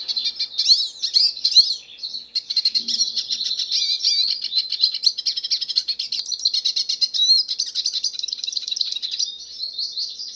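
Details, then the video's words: Hooded siskin singing freely in the wild: a few looping whistled notes lead into a long, dense, high twittering warble of fast chirps and buzzy trills, with no break. "O canto do pássaro silvestre pintassilgo"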